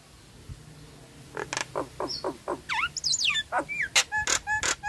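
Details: Lure recording of a Nias hill myna, meant to restart singing in silent, stressed or moulting birds; clipped notes build into sweeping downslurred whistles and sharp loud chips, growing denser toward the end.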